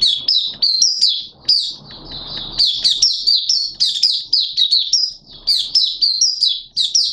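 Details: Oriental white-eye from Malaysia, kept in the bird hobby, singing on a Sunday, 21 June 2023: a dense, high-pitched warble of quick chirps and thin whistled slurs, with a brief soft rustling noise partway through.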